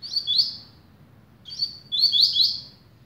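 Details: Patrão-type double-collared seedeater, a velocista, starting its song with short high twittering bursts of rapid downslurred notes, separated by about a second of near silence and a faint low background rumble.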